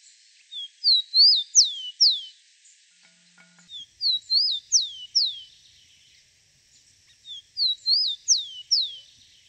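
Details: A Rufous-collared sparrow in the wild repeats a short, high song about every three seconds: a few clear slurred whistles ending in quick falling notes, with nothing else audible.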